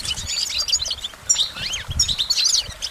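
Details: Lively goldfinch song: bright chattering phrases, a couple of swooping slurred notes in the middle, then more rapid twitter.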